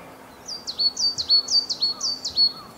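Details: Wild Coal Tit singing during a bird-watching walk in Kita-Harima, central Hyogo Prefecture, Japan, recorded on a compact camera; the song is rendered as 'chinchiro chinchiro chinchirorin'. High, thin two-note phrases slurring downward, repeated about six times in quick succession over faint background hum.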